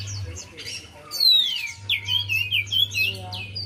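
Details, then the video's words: Song of a Javan white-eye intended to stir a silent bird: faint chirps, then a loud falling whistle and a brisk stream of high, slurred twitters over a steady low drone. "Buat Pancingan Untuk Poci Yg Malas Bunyi"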